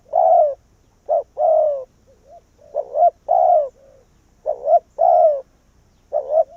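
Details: Vietnamese decoy spotted dove calling to lure wild doves to the same tree. Mellow coos come in repeated phrases: a short rising-falling note and then a longer falling one, about three phrases in quick succession.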